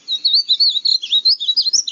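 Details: Painted bunting (Passerina ciris) singing a quick, sweet warble of high, bouncing notes, rising and falling without pause for two seconds.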